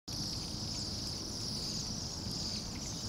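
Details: A flock of roughly 200-300 Bohemian waxwings in Anchorage at minus 8 degrees F, giving a dense, continuous high sibilant trilling chorus over low city traffic rumble.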